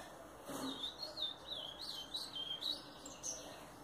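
A double-collared seedeater sings a quick, continuous run of high, twittering and slurred notes that rise and dip without pause, over faint background hiss.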